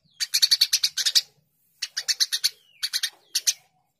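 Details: Vigorous Eurasian tree sparrow chirping used as training audio: a fast string of about ten scratchy chirps, a pause, then shorter groups of harsh notes, with a thin drawn-out whistle in the background.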